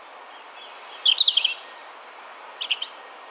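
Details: A European robin sings its autumn song in a Hampshire, UK, garden in 2020: thin, high warbled phrases of quick trills and sweet drawn-out whistles, a little wistful, over faint background hiss.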